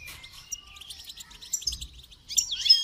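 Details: Training song of a goldfinch: quick run of thin whistled and chattered notes, ending in a loud tinkling, buzzy flourish.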